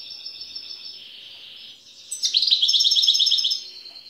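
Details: Wild goldfinch, Tiaret, Algeria, taped in 2015: a soft, steady hissing whistle at first, then a lively outburst of rapid, rolling twitters and buzzy trills for over a second.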